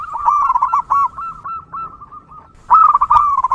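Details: A wild zebra dove gives a run of quick, bubbling staccato coos around one pitch, pauses briefly, then starts a louder burst of the same rolling notes; a long recording used to lure other zebra doves.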